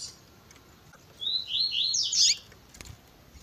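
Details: Double-collared seedeater with a female calling, in the tui tui zel zel style: one high phrase of quick descending slurred notes, rising to a loud buzzy climax, with faint hiss around it.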